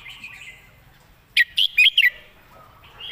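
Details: Red-whiskered bulbul, a teacher bird with clear, well-turned phrasing, sings a lively phrase of four to five loud, quick whistled notes. Other birds warble faintly before and after it.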